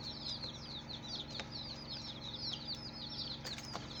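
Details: Colourful baby chicks in a group giving shrill, rapid peeps that dip in pitch, many birds calling at once in an unbroken chatter, a few sharp clicks and a low steady hum beneath.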